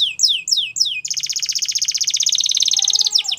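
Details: Canary singing: three quick descending whistled notes, then a long fast buzzy trill repeated many times per second, ending in sliding whistles over a faint lower tone.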